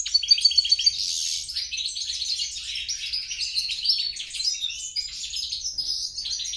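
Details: Cross between European and grey-crowned goldfinch opening with a fast series of sharp high pips, then a rambling twittering warble of buzzy and liquid notes.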